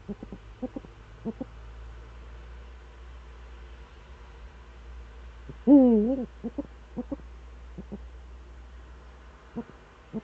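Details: Eurasian eagle-owl in the Eifel on the morning of 26 September 2013. A single loud, bent, harmonic call sounds midway through a stretch of faint, irregular short pulses and low background hum.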